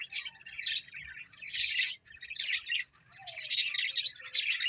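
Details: Parrot calls in clustered bursts of shrill chirps and squeaks, separated by short gaps, with a few thin whistled notes between them.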